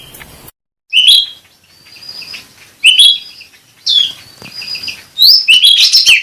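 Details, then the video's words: Cucak rante bulbul song used as a lure and therapy sound: bursts of high, sharp chirps and short twittering phrases separated by pauses, building into a denser, louder chatter at the end. "suara pancingan dan terapi cucak rante atau cucak ranting"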